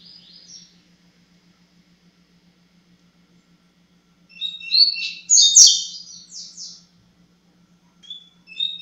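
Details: Double-collared seedeater (coleiro) singing in the tui tui zero zero style: a short high note, a long pause, then a burst of rapid, buzzy, sliding high phrases, with one more brief note near the end over a faint steady low hum.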